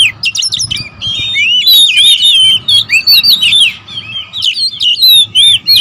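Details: Several oriental magpie-robins (kacer) sounding agitated and territorial: steady flow of varied whistles, looping slurs and sharp clicks, the phrases overlapping almost without pause over a faint low hum.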